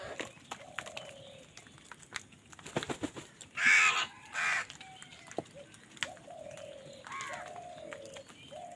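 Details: Crows squabbling over food give two loud, harsh, buzzy caws near the middle, with thin falling whistled notes from other birds before and after.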